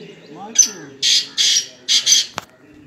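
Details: Black francolin, known locally as kala teetar, in Pakistan, calling with loud, harsh, grating notes: one short note, then two longer rasping bursts and a closing double burst, over faint background sounds.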